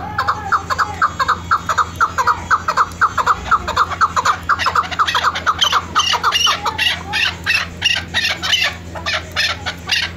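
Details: Female hunting chukar gives a fast, even string of clucking notes, about two per second, rising into louder, harsher bursts later; low hum throughout.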